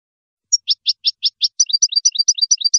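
European goldfinch singing a bright, high twitter: a single thin note, five quick repeated chips, then a faster tinkling run of alternating notes.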